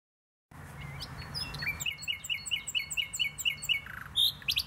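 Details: Nightingale singing in the botanical garden in Poznań, Poland: a thin rising whistle, then a run of about nine sharp repeated chirped notes, closing with a buzzy trill.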